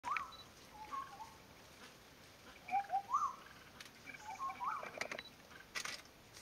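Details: Racket-tailed treepie in Thailand, 31 May 2019: short, fluty notes that rise and fall, in small clusters every second or two, with a few soft clicks and rustles between.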